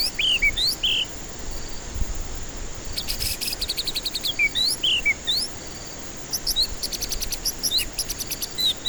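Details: White-rumped shama lure song meant for stressed birds that stay silent. Looping whistled notes, sharp upslurs and dense buzzy rattling bursts alternate, repeated over several phrases, with a soft thump early on.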